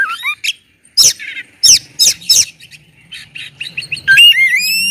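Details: Oriental magpie-robin with a loud provoking song for other magpie-robins; harsh explosive bursts alternate with short chirps, ending in long rising whistled slurs over a low background hum.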